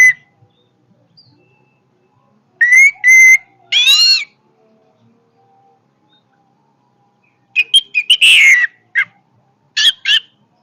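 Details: Powerful song of an orange-headed thrush, with short clear whistles, a burst of rich warbling, a long silence, then a fresh flurry of sharp chirps and harsh, buzzy notes.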